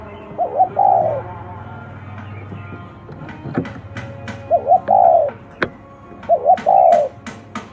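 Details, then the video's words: Spotted dove cooing unusually: three phrases about two seconds apart, each a quick stuttered double note leading into a long hollow coo, over a faint humming tone and scattered clicks. "tiếng chim cu gáy gù độc lạ"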